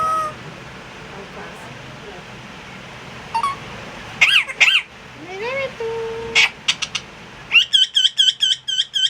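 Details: Pet parrot calling after a few seconds of low voices: scattered high squeaks and rising whistled notes, then a fast run of six sharp, evenly spaced chirps at the end.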